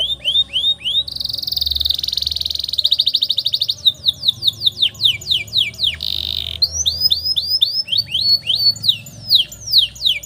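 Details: Canary long-roll song for tutoring young canaries: rising whistles, a buzzy rolling trill and fast pulsed notes, then many quick falling slurs and a final rising flourish.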